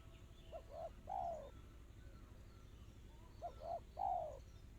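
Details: Tekukur or spotted dove cooing in the fast, close-set 'kristal' style: two short phrases of three rising-then-falling coos, the last note longest and loudest, with a low background hum.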